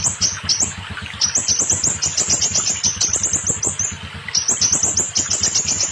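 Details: Song of the scarlet minivet, meant to stimulate young, stalled or molting birds into full song: quick chains of sharp, high upslurred notes in two long bursts, with a faint rhythmic thumping underneath.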